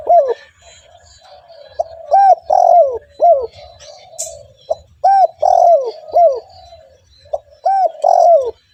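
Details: Spotted dove kept as a lure for other doves calls strongly: repeated phrases of clear arched coos, each group ending in a drawn-out falling note, about three phrases in nine seconds, faint cooing underneath.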